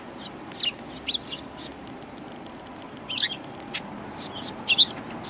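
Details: Sparrows recorded 1 March 2020 at a Tenmangu shrine give bright, clipped chirps in small uneven bursts, with a quiet gap midway before several birds resume chirping.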